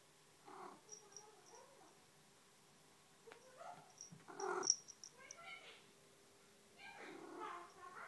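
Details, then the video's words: Ruby, a female Eclectus parrot, chatters softly to herself in the morning in short, speech-like bursts with varied pitch, separated by brief pauses, with faint high ticking in the background. "Eclectus Morning Chats"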